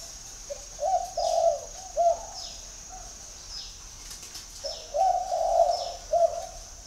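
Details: Calling spotted dove at a dove garden in Ba Vì, Hanoi, Vietnam: two bursts of low mellow coos, a short note followed by drawn-out hoots, with a long gap between them. A faint high-pitched whine carries on throughout.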